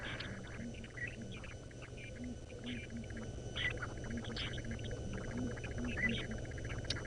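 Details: In the Sabi Sand near Kruger Park, South Africa, at sunrise on 25 December, distant southern ground hornbills give deep, soft booming notes in short repeated groups, under an idling engine hum and chatter of smaller dawn birds.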